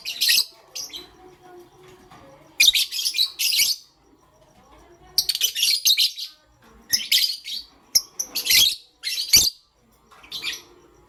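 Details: Pastel gray lovebird chirping in the morning, with grouped bursts of rasping high chirps separated by brief quiet gaps, fairly continuous chatter.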